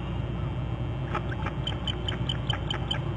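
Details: Eagle at its nest on Hornby Island, picked up by a nest camera: a rapid series of about nine sharp, high chirping notes evenly spaced, forming a short trill over a loud, steady low electrical hum.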